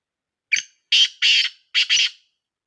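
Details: Black francolin, known locally as kala teeter, from Sindh, Pakistan: a short series of harsh, grating notes. One brief opening note is followed by two closely spaced pairs of louder, raspy bursts.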